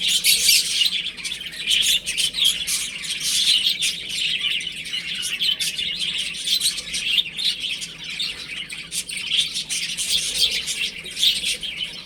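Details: Baby chickens playing at home; many chicks peep together in a long, unbroken shrill chorus, loudest at the start and gently fluctuating thereafter.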